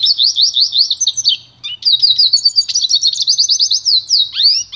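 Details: Song of a pintagol, the goldfinch-canary cross, for training: series of bright repeated chirps, then a brief break and a long, rapid, continuous twittering warble ending in a few rising slurred notes; low background hum.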